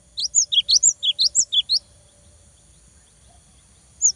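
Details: Cinereous tit in full song giving a quick burst of about ten high, sharp slurred whistles in under two seconds, then one lone note after a pause, over a faint hum; meant to provoke rivals and young birds to sing.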